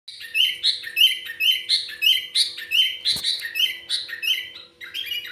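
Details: Sooty-headed bulbul singing with a trocok-style filler: a repeated bright chirping phrase of bubbly notes, roughly one phrase per second, with a faint low steady hum and a brief click partway through.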